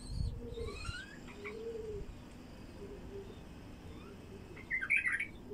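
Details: Wild bulbul song for attracting wild bulbuls: a quick, bubbling warbled phrase near the end, preceded by faint rising whistles and soft low coos from other birds.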